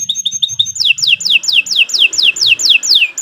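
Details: Canary song for tutoring birds: a few quick repeated notes, then a steady series of downward-slurred whistles about three per second.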